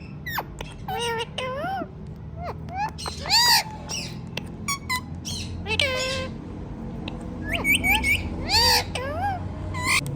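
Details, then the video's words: Talking ringneck parrots chatter throughout in bursts of bright, harmonic, speech-like syllables with bending rising and falling tones, punctuated by sharper squawks, over a faint low rumble. "Talking Ringneck Parrots"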